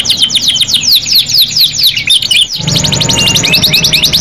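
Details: Canary singing without pause: a fast series of descending whistled sweeps, then an abrupt switch to a dense, rapid trill mixed with rising notes, over a low background rumble.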